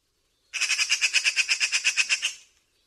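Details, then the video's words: A magpie gives a harsh, dry rattling chatter of about fifteen rapid notes in under two seconds, then fades out, with no other sounds. "magpie, pie sound effect"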